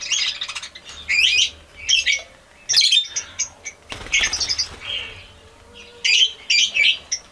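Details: Albino red-eyed budgerigars chatter in bursts of scratchy, warbling chirps and squawks, rising and falling quickly.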